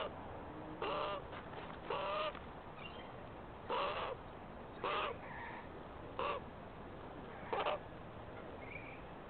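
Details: Australian magpie (Gymnorhina tibicen) at a backyard water spot in Australia gives short, harsh squawks with a slight upward bend, six in about nine seconds, over a steady background hiss.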